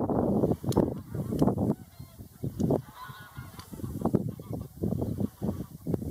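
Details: Greylag geese calling in a dense chorus of deep, grating honks in repeated bursts throughout, with many birds overlapping.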